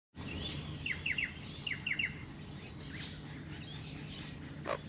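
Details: Two Australian magpies, a female and a male, drinking at a backyard birdbath give soft little warbling noises: quick triple chirps repeated in small bursts, then a single sharper note near the end, over steady low background hum.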